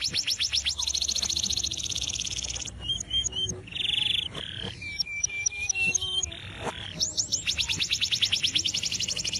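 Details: Atlantic canary in varied song outside a cage, meant as master song for training: long fast trills of high repeated notes framing a middle passage of whistles, clicks and short buzzy rolls.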